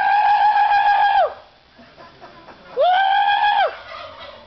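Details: Real turkeys gobbling while people try to copy them; two strong, sustained quavering gobbles about two seconds apart, with a quieter murmur of voices between.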